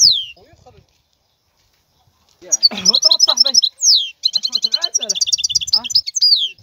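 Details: Wild European goldfinch song: a high descending whistle, then lively twittering phrases of quick repeated notes and trills, with some faint lower sounds under the first phrase.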